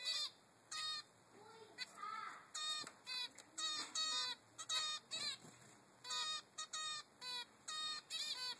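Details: A 3-week-old baby male zebra finch begs his mother for food with rapid, harsh, nasal buzzing calls, about two each second, some stretched into longer rasps, with soft chatter from other birds behind.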